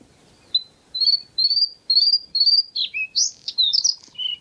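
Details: White-spotted bluethroat at Kølsen-Skals Engsø, 10 April 2020, singing a strophe that opens with a run of clear, evenly repeated high notes, then breaks into a fast, scratchy, varied twitter ending on a lower buzzy note.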